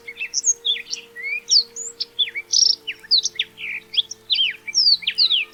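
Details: Black-throated Canary, small African songbird, in continuous lively song: a steady stream of quick, high, sliding whistled notes and trills with varied pitch, over a faint steady hum.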